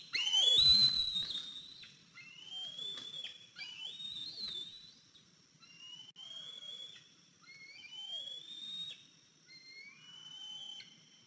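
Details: A 103-day-old fledged eaglet back on its nest at 10:57 am on 14 April 2023, limping. It gives a loud series of high, thin whistled notes, some slurring downward, others level or rising, repeated every second or so.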